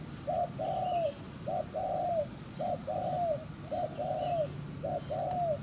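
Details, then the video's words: Spotted dove, caught in the wild, cooing fast and regularly: five two-part phrases, a short note then a longer coo falling at the close, evenly spaced, with a low hum underneath. "Bổi Đồng Chơi khá lẹ miệng, Gù xiết ( quy cườm đẹp)"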